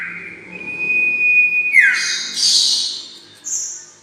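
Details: Sirtu lure for trapping birds: a drawn-out level whistle that drops in a slurred fall, followed by loud hissing high chirps and a brief piping note, over a faint low hum.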